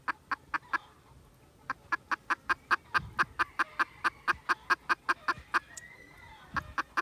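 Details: Red junglefowl recorded on 16 December 2021 giving a rapid series of short, sharp clucks, about three per second, steady with a brief pause early on, over faint background rustling.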